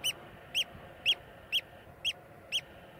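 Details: Sharp, clear piping notes from a Eurasian oystercatcher recorded in Iceland, six loud short calls evenly spaced about half a second apart, against faint low background noise.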